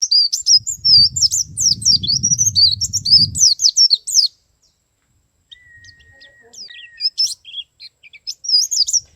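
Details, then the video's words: Male white-eye in the wild, singing in the ngalas and nembak styles: rapid, high twittering phrases of sharp, chattering notes for about four seconds, then a long thin whistle and scattered quieter chirps, with faint low rumbling underneath. "suara pleci jantan ngalas dan nembak"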